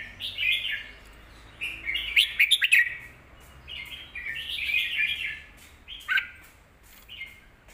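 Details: Red-whiskered bulbul song meant for teaching young birds, given as rapid bubbly warbles with sharp clicking accents around two to three seconds, a fuller phrase near five seconds and a final short note.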